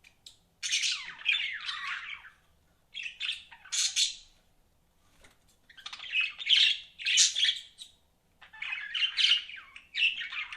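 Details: Pet budgerigars chirping indoors in bursts of harsh, buzzy chatter separated by short pauses, the notes scratchy and warbling with quick squawks mixed in.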